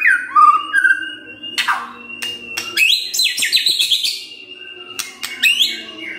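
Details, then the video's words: White-rumped shama song played in the morning to provoke quiet birds into singing; clear varied whistles, sliding and falling phrases broken by sharp chirps and rapid trills, over a faint low steady hum. "Pancingan PAGI-PAGI AGAR MURAI GACOR❗ murai diam pasti ikut NYAUT❗❗"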